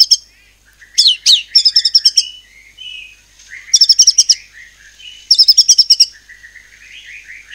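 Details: Cililin white-rumped shama from Indonesia, sung to provoke other birds: swooping upslurred notes and quick volleys of piercing high chips, alternating with softer warbled lower notes between the loud bursts.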